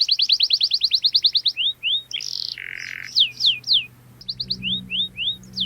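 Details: Canary delivering sharp cuit cuit ngerol song used to train young canaries: rapid high trill, sliding whistles, a buzzy low churr, then scattered downslurred notes over faint background hum.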